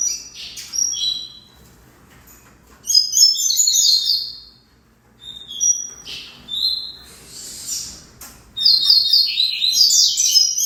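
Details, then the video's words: Double-collared seedeater song in separate bursts of high, rapid twitters and buzzy notes, with short gaps between phrases across about ten seconds. "Coleiro Malbec"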